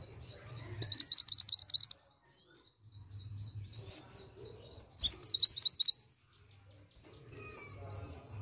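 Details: A female pied bushchat calls to get a response from males: two bursts of rapid, high, upslurred chips about four seconds apart, linked by a steady series of faint, evenly spaced high ticks.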